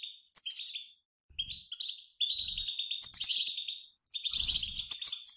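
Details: European goldfinches, males and females together, in collective twittering that resembles flocks flying and is used to make males sing; four separate bursts of bright, high, jangling chatter with twangy notes, divided by silent gaps.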